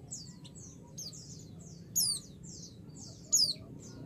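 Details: Female white-eye calling a male, provoking him to respond: soft high twitters in a loose series, then two louder steeply dropping chirps over a low rumble.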